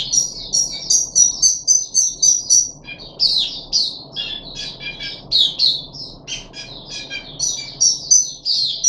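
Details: Caged puff-backed bulbul, three days after deworming, 14 July 2021, opens with a fast series of identical high chirps, about four a second, then shifts to jumbled, scratchy twittering phrases.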